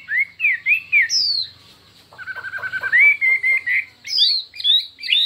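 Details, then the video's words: Chinese hwamei singing in a contest of many voices: looping whistles, then a steady long whistle over rapid pulsed notes, ending in bright sweeping phrases. "Hoạ Mi Hót Đấu Nhiều Giọng"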